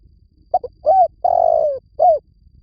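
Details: Spotted dove lure call from Vietnam: a quick double note, then a rising coo, a long slightly descending coo and a final short slurred coo, loud and clear against silence.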